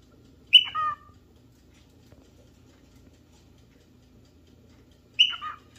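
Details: Cockatiel looking for a partner or playmate, giving two short, harsh, descending calls about four and a half seconds apart, each opening with a bright sharp note and trailing off, with quiet in between.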